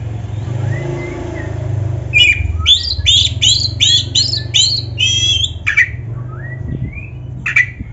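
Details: Black-breasted Oriental magpie-robin sound for training caged birds: after a faint whistle, a rapid run of harsh, buzzy repeated notes about two per second, followed by scattered rising whistles over low background rumble.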